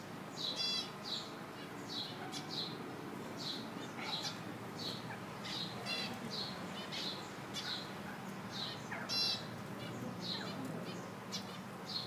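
Chukar partridges give short, high, squeaky chirps, about two a second, with some louder harsh notes over a steady rushing background.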